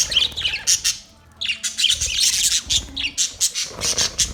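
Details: Budgerigars give rapid, buzzy, high chirps and scratchy warbled notes in quick pulses, several birds overlapping in a lively, continuous chatter.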